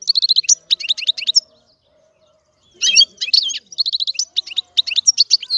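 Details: Goldfinch song of rapid, high-pitched twittering and liquid trills, a brief silent gap, then a long bubbling run of chirps and buzzy notes.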